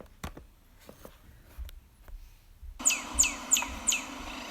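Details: A Northern Cardinal at a backyard bird feeder gives four clear, sharply falling "pew" whistles in quick succession, about three a second, after a quiet stretch of faint clicks and room noise.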